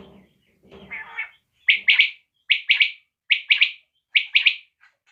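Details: A desi quail calls in crisp, quick phrases of two or three notes, repeated evenly after a low, rough murmur at the start.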